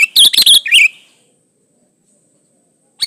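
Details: Sooty-headed bulbul song used to lure other bulbuls into singing; one short burst of four quick bubbly whistled notes, then silence and a faint note at the end.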